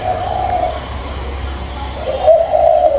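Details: Spotted dove, a cage bird with a three-note, very warm voice, giving low, warm, hollow coos in two bursts over a steady high electrical-like hum and faint background noise.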